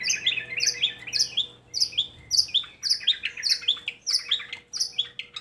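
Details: Long-tailed shrike song as a lure for shrikes slow to sing: steady series of sharp, chirpy double notes repeated rapidly throughout, with a faint electrical hum.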